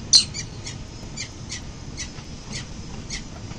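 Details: Peregrine falcon parents arriving home early morning at their building nest site on 22 November 2024, giving short, harsh, high chips about twice a second after one sharp opening note, over a steady low rumble of wind or traffic.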